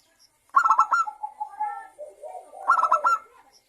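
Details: Zebra dove song used as a lure to get local and Bangkok zebra doves singing: a burst of rapid staccato notes, then a soft trailing coo, and a second staccato burst near the end.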